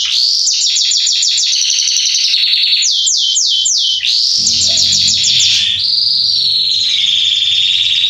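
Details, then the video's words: Male Belgian canary in warm-up song: fast rhythmic trills of repeated notes, a run of loud descending slurs, then a long rolling trill over a faint low hum. "Canário Belga Salsa macho cantando - Esquente seu canário belga em 30 minutos"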